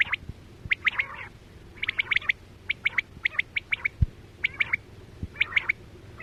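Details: Quail (chora batera) heard during quail hunting with nets: quick bursts of three or four sharp, high, clipped notes, repeated about once a second, with a few dull low thumps behind.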